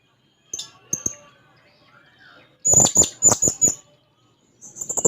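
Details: Blue-crowned hanging parrot singing while seeking a rival: a few scattered high chips, then a loud burst of five strident, very high notes, followed by a rapid accelerating trill of thin ticks.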